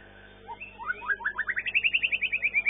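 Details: White-rumped Shama competing in a singing contest, session 9 first-place long-tailed class: a sweeping rising slur runs into a fast, even trill of about fifteen bright repeated notes.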